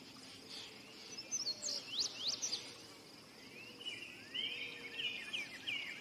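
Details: Singing indigo bunting: first sharp, very high down-sweeping notes, then a lower run of buzzy, slurred phrases after a short pause, with a steady high insect drone in the background.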